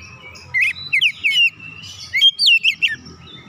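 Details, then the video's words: An oriental magpie-robin delivers two short bursts of song meant to rile other magpie-robins: quick zigzagging whistled notes and chirps, about four per burst, over a low hum. "KACER LAIN CEPAT TERKOMPORI MEMANAS GACOR BUKA PARUH BONGKAR ISIAN"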